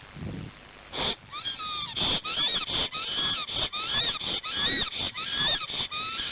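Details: Nest camera in Gemenc, Hungary, midday on 15 March 2019: an agitated male Black stork guarding the nest, head nodding. After a quiet start, bursts of rising and falling whistles repeat about every second, mixed with crackling clicks.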